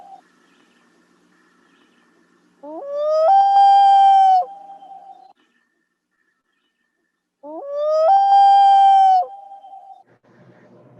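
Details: Two long, mournful wolf-like wails from a Common Loon, the contact call parents use to locate chicks, each sliding up and then holding a steady note, about five seconds apart.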